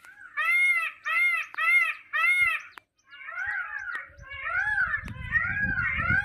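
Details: Indian peafowl calling: four loud, harmonic, wailing notes about half a second each, then a series of lower, arching, nasal cries over a rising rumble of background noise.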